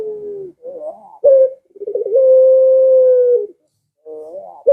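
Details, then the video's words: Cooing of a Barbary dove, used to make pet doves at home call in reply: a falling note, a wavering phrase, a short loud accent, a quick rolling trill and a long level coo, then a rising fragment after a pause. "Suara Burung Puter Ini Memikat Puter Anda Dirumah Sehingga Ikut Bunyi"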